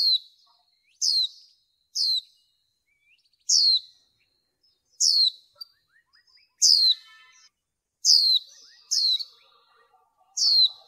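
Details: Female white-eye used in bird training to excite males, repeating about eleven sharp, high, downward-sliding squeaks over eleven seconds at roughly one-second intervals, with faint soft twittering underneath.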